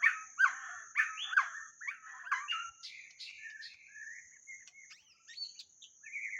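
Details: Lure recording of a white-rumped shama: strong slurred whistles at first, then softer varied twittering and short rising notes, with a steady high hum throughout.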